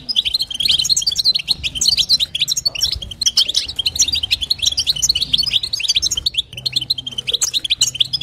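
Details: European goldfinch hen giving her stimulating call to rouse a male, bitbita and sitsita style: continuous bright chattering twitter of quick clipped notes, steady throughout, over a soft low background hum.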